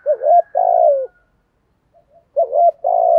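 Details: 'Thổ'-voiced spotted dove giving urging 'thúc gù' coos. Two matching phrases, each a quick rising double note followed by a long, throaty, falling coo, with a short gap between them.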